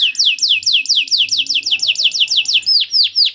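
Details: Long cuit cuit canary song meant to bait young canaries into singing: a quick steady chain of descending swoops, then slower, louder sweeping notes at the close.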